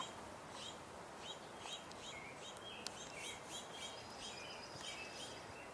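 An American Robin sings short, clear caroling phrases over steady background hiss, mixed with busy high chirps from other small birds, probably house sparrows.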